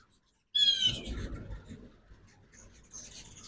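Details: Ruby-throated hummingbird at a backyard feeder in Oxford, Mississippi, on a 2024 fall migration morning: one squeaky, harmonic call dropping slightly in pitch, followed by faint high chips and low rumbling background noise.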